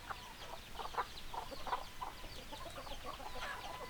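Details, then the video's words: Chickens give a run of strong, clipped clucks roughly every half second, softer flock chatter continuing behind them. "Chicken Sounds Noises Hens Clucking Roosters Crowing"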